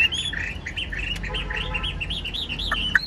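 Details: Chinese hwamei kept as a caged songbird, delivering a rapid stream of short, rich, warbled whistles that rise and fall, over steady background noise.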